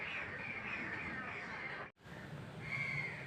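Rufous treepie giving harsh, grating, crow-like calls that run almost without pause, broken once by a brief cut, over steady background hiss.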